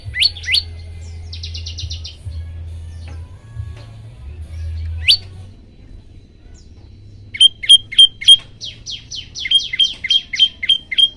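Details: Olive-backed tailorbird song for prompting other birds to sing: a pair of sharp notes, a short buzzy trill, scattered single notes, then a closing burst of rapid, ringing repeated notes with a faint hum.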